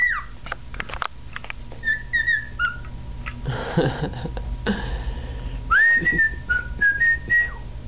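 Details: Cockatiel, a male pet, performing learned melodies from the Andy Griffith Show theme and Schubert's "Trout" Quintet: scattered whistled notes early, two loud rustling or handling noises in the middle, then a clear upswept whistle followed by a stepped melodic phrase.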